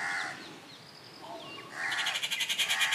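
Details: Rufous treepie at Kattupadi, recorded June 19, 2021: a short harsh nasal note opens, a quiet pause follows, then a fast run of loud, grating, rattling pulses repeated about three times a second until the end.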